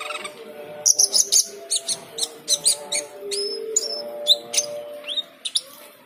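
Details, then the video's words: Cucak keling singing to the call to prayer: a run of sharp chirps followed by rising and falling whistled notes, over the steady chanted voice of the call to prayer. "Cucak keling teler gacor full isian saat mendengar adzan."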